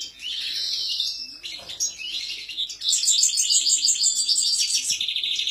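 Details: European goldfinches singing: high, bright twittering and trilled phrases, a thinner stretch then a louder burst of rapid tinkling notes in the second half.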